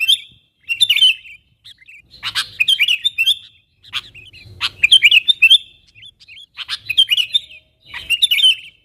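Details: Sooty-headed bulbul, a lively calling bird used to lure wild bulbuls closer, calling to wild companions: bursts of bright, bubbly chirps and short whistled notes, grouped in phrases about every one to two seconds, with brief pauses between; no other clear sounds.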